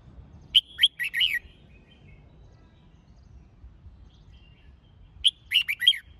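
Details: Red-whiskered bulbul singing to train for a song competition: two short bursts of bright, whistled, warbling notes about four seconds apart, each a quick run of four or five sharp phrases, with quiet low background hum between.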